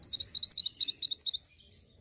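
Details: Mantenan gunung song used to prompt caged birds to sing: a fast run of about a dozen bright, high chirping notes in a steady series lasting about a second and a half, then quiet.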